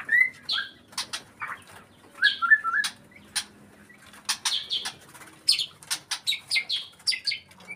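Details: White-rumped shama in breeding condition delivering a busy run of short, varied whistled and chirping notes, some high and buzzy, mixed with sharp clicks at an irregular, rapid pace.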